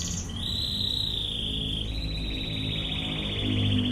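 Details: Canary 'tembakan ngebren' training song: a short high note leads into an unbroken rapid trill that slowly sinks in pitch and becomes more pulsed, over a constant low hum.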